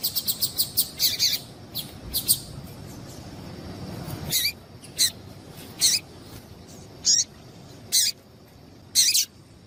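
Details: Female Double-collared seedeater calling to stimulate a male to sing: a quick burst of about six high, sharp chirps, then single short high chips spaced roughly a second apart over a steady faint hiss.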